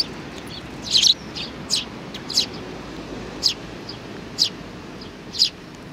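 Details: Sparrows on 27 June 2019, a little one among them. Clear, high, brief chirps repeat roughly once a second, one louder burst near the start, against faint background hum.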